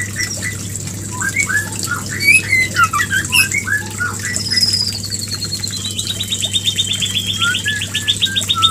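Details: White-rumped shama mating call for bringing a female into breeding condition: squawky chirps and slurred whistles, then a long, high, fast rattling trill that slowly falls in pitch, with a low hum throughout.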